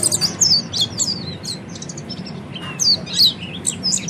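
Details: Oriental white-eye training song: high down-slurred chirps in small clusters with brief pauses, thin and bright, over a steady low hum.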